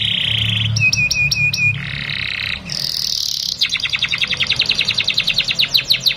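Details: Canary song used as a lure to teach young canaries, with a buzzy note, a few repeated upslurred whistles, harsh rolls, then a fast rhythmic trill of clipped high notes, over low background rumble.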